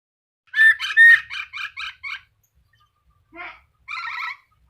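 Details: Black-capped lory giving a quick run of harsh, ringing call notes, about seven in two seconds, followed after a pause by two shorter buzzy bursts; the background is quiet.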